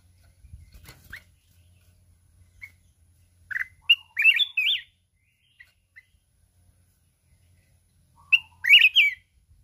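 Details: Wild-voiced mountain red-whiskered bulbul singing in contest in the kít bổi style while constantly flapping its wings. Two loud bursts of tumbling, slurred whistled notes about five seconds apart, with faint chirps and a soft flutter early on.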